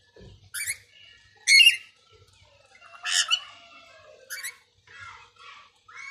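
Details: A pet parrot, said to talk and use different voices, gives a run of loud, harsh squawks and buzzy, harmonic chattering notes in short bursts roughly a second apart, with little background noise.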